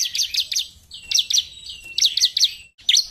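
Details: Bar-winged prinia in gacor narung song, delivering rapid trios of bright, high-pitched chips linked by brief trilled slurs, each cluster following closely on the last.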